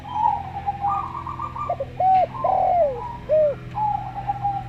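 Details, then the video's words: Local zebra dove with a slow voice, mixed with a calm-voiced Javan derkuku: a soft rippling coo run, then three or four loud arched coos, one long and sliding down, over a low hum. "Perkutut Lokal Suara Slow"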